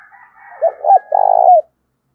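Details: Spotted dove giving a lure call for wild doves: two quick hollow notes, then a long purring coo that falls away at the end, over a faint higher hum.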